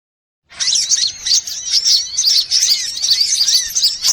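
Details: Sunbirds of several kinds used as a lure sound to attract birds: after half a second of silence, a dense overlapping chorus of thin, high twittering with quick looping notes and rising-falling whistles, with no pause.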